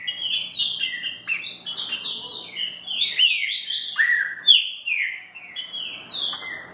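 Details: Green-winged saltator, in the song style called "mansarrão", giving a rapid run of loud, clear whistled phrases, many sliding downward, several notes each second with barely a pause, over a faint low hum.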